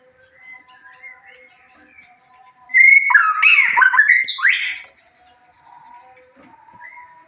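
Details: Lure recording of a white-rumped shama to boost emotion and breeding urge so birds join in: quiet scattered notes, then one loud two-second phrase of twisting whistles ending in a high, buzzy sweep, then soft notes again.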